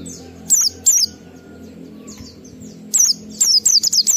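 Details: Oriental white-eye giving ngalas song with 12345 beats, used to stimulate other white-eyes to sing; two piercing high notes, a pause, then a fast run of about six shrill descending squeaks, soft background chirps.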